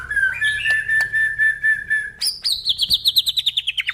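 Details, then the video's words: Crossbred F-series male white-rumped shama sings a long level whistle with small inflections, then jumps higher into a rapid series of descending, wavering notes that speed up like a trill. "murai batu hasil silangan F series"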